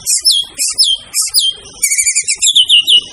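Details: Murai batu, the white-rumped shama, in a training recording. It gives repeated downslurred high whistles three times, then a fast series of bright, evenly spaced chirping notes.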